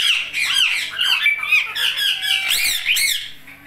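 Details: Talking Indian ringneck parakeet producing a continuous stream of harsh, nasal speech-like syllables and screechy squawks, kept in a pet setting.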